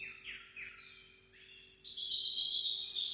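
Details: Song of a Maestro goldfinch-canary hybrid used as a teaching recording for goldfinches and canaries: soft downward-slurred notes repeated a few times, followed by a sudden loud, rapid, high rattling trill.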